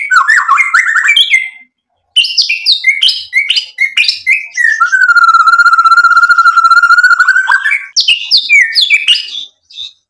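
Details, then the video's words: White-rumped shama in energetic song with mimicked filler phrases, meant to goad other shamas into answering: fast chattering whistles, a pause, more varied notes, then one long steady whistle held for about three seconds. "MURAI BATU GACOR MEMANCING EMOSI JADI NYAUT BUNYI BONGKAR MATERI ISIAN"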